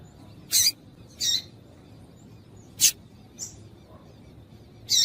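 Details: Call of a female double-collared seedeater, meant to get males singing: five short, piercing chip notes, one of them very thin and sharp, at irregular gaps against a low hiss.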